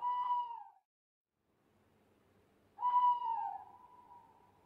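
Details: At night, an owl gives two clear, drawn-out hooting notes about two seconds apart, the second sliding slowly downward, over a faint low background hum.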